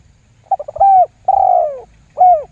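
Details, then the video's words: Spotted dove 'lambung guk' lure call used to set other doves calling: a burst of rapid stuttering notes runs into a level coo, then a long drawn-out falling coo and a short closing coo, over a faint low hum. "SUARA PIKAT TERKUKUR LAMBUNG GUK MEMBUAT TEKUKUR LAIN IKUTAN GACOR"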